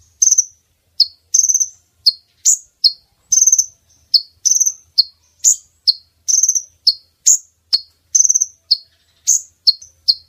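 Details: Brown-throated sunbird female calling, played to attract males for netting. A dense, continuous series of piercing chips and short rattled trills follows in quick succession, with a faint low hum in the background.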